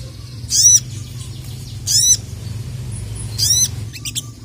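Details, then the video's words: Rival-challenging calls from a kept Crested jay: three harsh, stacked, downward-sweeping chatters spaced about one and a half seconds apart, with a short extra flick at the end over a low background hum. "KICAU SOGON GACOR EMOSI MEMANGGIL LAWAN"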